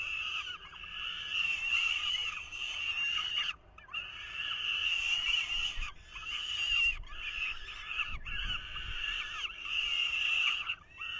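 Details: Falcon chicks in the nest in 2023 scream raucously at the feeding male, in long rasping bouts of two to three seconds with brief breaks, about five bouts.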